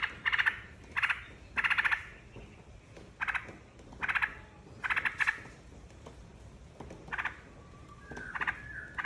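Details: Yellow-vented bulbul lure song meant to make other birds join in: quick chattering bursts in clusters, about ten in all, some paired, ending with a brief whistled slur. Faint constant whine in the background.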